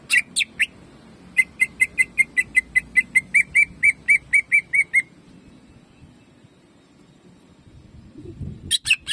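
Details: Caged greater green leafbird giving 'jamtrok' shooting song for training: a few sharp notes, then a long steady run of about eighteen clear whistled notes, a pause with low rumbling, and a final burst of sharp notes.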